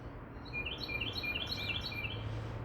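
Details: Carolina wren (Thryothorus ludovicianus), a small bird singing loudly nearby, gives a loud, rolling run of bright, clear notes repeated in quick succession over a steady low rumble; a woodpecker is also heard.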